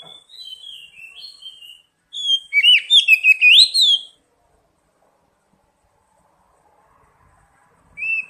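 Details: Lure recording of oriental magpie-robin meant to draw a singing response: quiet falling whistles, then a loud, fast, jumbled chirping burst, long silence, and one final short note.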